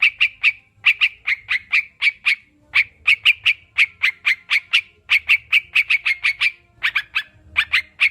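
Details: Sooty-headed bulbul, played to prompt kept birds to sing: lively string of sharp chirps, mostly single with occasional quick doubles, nearly continuous, clean background.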